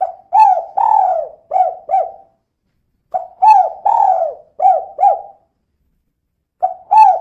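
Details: Calling female spotted dove, 'kuk 2' style, played as a lure so other birds start singing; three phrases of mellow coos separated by pauses, each mixing short clipped notes with one longer, stretched note.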